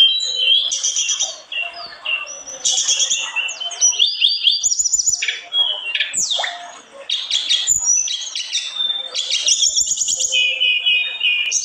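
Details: Long, vigorous song from an olive-backed tailorbird, mixing high thin whistles, harsh sweeping notes and rapid twittering over about twelve seconds, with occasional faint taps.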